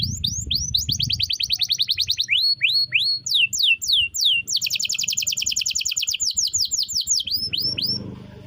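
A canary sings continuously in fast rolling trills and quick rising and falling sweeps, shifting between rapid tours and sharper chips. A faint low hum runs underneath.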